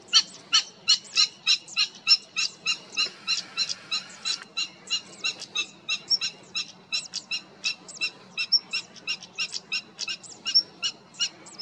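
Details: Dense series of sharp, stone-tapping tsak clicks from a European stonechat, Cértima river valley, Águeda municipality, 28 June 2022, delivered rapidly and unevenly for over eleven seconds with occasional thin high whistles.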